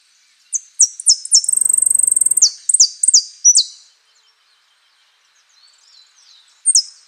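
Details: Saffron finch in prio, golpe y pitada song: clipped high slurred notes run into a rapid buzzing trill, then more downslurred notes, a pause with faint soft notes, and a final sharp phrase.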